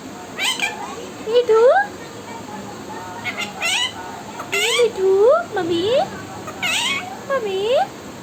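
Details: Pet parrot talking: a run of short, rising, speech-like syllables and squeaky upward-sliding notes, repeated in small bursts over several seconds, against a steady background hiss.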